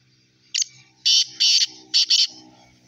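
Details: Black francolin calling, a harsh grating series of about five loud rasping notes in quick bursts, short pauses between them, with a faint low hum behind.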